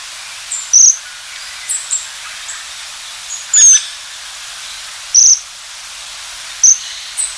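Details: High, thin trills of Japanese waxwing, repeated every one to two seconds at uneven intervals, mixed with fainter high sibilant notes.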